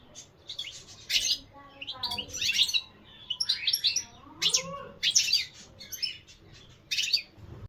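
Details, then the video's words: A European goldfinch delivers scattered high, jangling twitters and buzzy chirps in short bursts, with a few lower, softer sounds faintly underneath. "الحسون عشق لمحبي الطيور المغرده"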